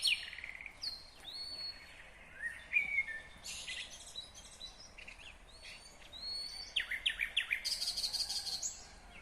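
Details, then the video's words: Nightingale song in Kyrgyzstan, 2020: varied phrases of rising whistles, sharp chirps and fast buzzy trills in quick succession, with other birds chirping faintly behind. "Незабываемое Пение соловья / Chill out Nightingale Singing / Булбул уну / Булбул овози"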